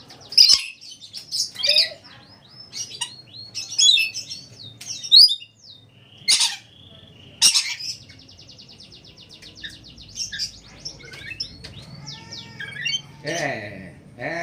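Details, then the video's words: Red lory (nuri merah) with harsh broadband screeching bursts scattered among varied whistles, quick chirps and trills, plus a long buzzy rattling note midway and a rough squawking run near the end; faint speech beneath. "NURI MERAH - Red Lory kicau"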